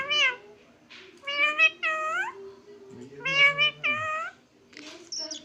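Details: A talking parrot imitates a cat, giving a run of drawn-out, nasal meows that rise and fall.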